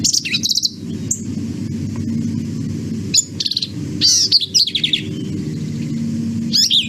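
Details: Nasal Black-capped Vireo song of brief, emphatic notes grouped into short phrases, with clusters near the start, middle and end separated by gaps, above a constant low rumble.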